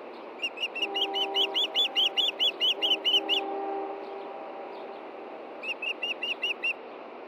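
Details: Ospreys at a Montana nest around 8 p.m. in late June, a male looking for a fish hidden by the female: a rapid run of a dozen piercing whistled chirps, a pause, then five more, over a low droning hum.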